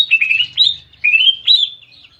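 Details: Greater green leafbird singing with canary-like imitations, loud whistled warbling phrases sliding between high notes in two bursts.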